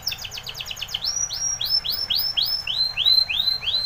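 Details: Spanish Timbrado canary singing: a quick stuttering trill followed by a steady series of arched, upslurred whistled notes repeated about three times per second.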